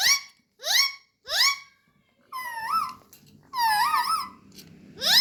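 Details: Pet talking parrot indoors giving a series of loud rising squeaky whistles, three quick upswept notes then longer wavering warbled sounds, repeated about every second.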